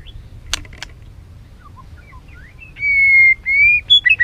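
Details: White-rumped shama song used to stimulate birds to sing. Faint scattered notes give way to strong, clear, steady whistles and a short burst of slurred notes at the end.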